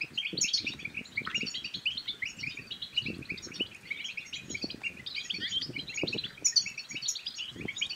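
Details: European goldfinch in bitbita song, used to excite males and encourage females to mate: lively, continuous twittering of bright metallic notes and trills, with bursts of higher notes around the start and later, plus faint low clicks.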